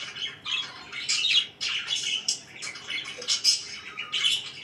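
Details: Pet budgerigars in the morning giving quick squawky chirps and buzzy warbles, several short bursts close together in a small room.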